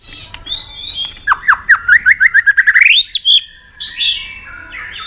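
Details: White-rumped shama in a cage, stirred to fighting song: a few thin whistles, then a fast run of short slurred notes climbing steadily in pitch, ending in bright whistled flourishes.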